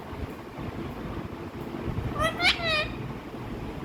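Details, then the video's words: A parrot, likely a pet, gives a brief burst of two or three shrill, voice-like notes over a steady rush of wind. "parrot calling sound"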